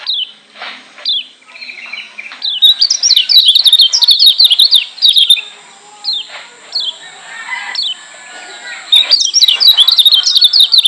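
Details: Lombok white-eye (kecial kuning) masteran for provoking white-eyes: bouts of fast, high twittering separated by single downslurred chirps and short calls, with a steady high-pitched hum in the background.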